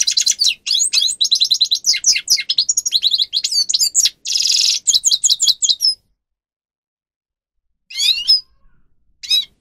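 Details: Grey-crowned goldfinch song for training captive birds: six seconds of rapid high twittering with one harsh buzzy trill in the middle, then silence broken by two brief twittering bursts.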